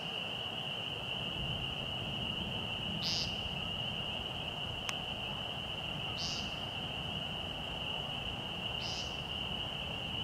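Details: American woodcock peenting at dusk, about 6:20 pm in March, at Fresh Pond in Delaware Seashore State Park. Three short buzzy nasal peents come roughly every three seconds over a steady high insect-like whine, with one sharp click.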